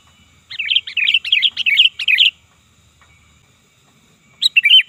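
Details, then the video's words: Sooty-headed bulbul used for luring: a rapid run of about ten chattering, bubbly notes lasting nearly two seconds, then quiet, then another loud warbled phrase beginning. "Suara Burung Kutilang Gacor Ganas Dan Keras Ampuh Untuk Panggilan Dan Masteran"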